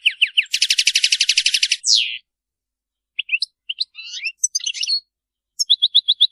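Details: European goldfinch in Maliki song style: a fast rattling trill of about fifteen pulses ending in a down-swept buzz, then scattered high chips and twitters, closing with five evenly spaced sharp notes.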